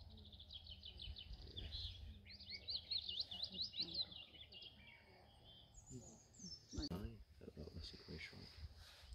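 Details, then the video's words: A male Willow Warbler singing in Wykeham Forest, North Yorkshire, UK, gives two soft, high, sweet phrases that cascade downward over a few seconds, followed by voices and rustling. "Singing male Willow Warbler"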